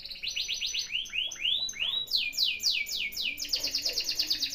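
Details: Canary song played to prompt a lazy canary into singing: quick repeated high downslurred notes, then slower swooping rising-falling phrases, ending in a fast rolling trill of sharp descending chips, all clear and continuous.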